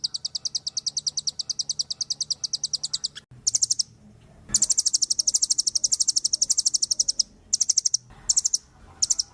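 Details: Long, rapid trills of high, sharp chips from a velvet-fronted nuthatch singing vigorously in a bird-tutoring recording, with short breaks between series and a dense, loud trill in the middle.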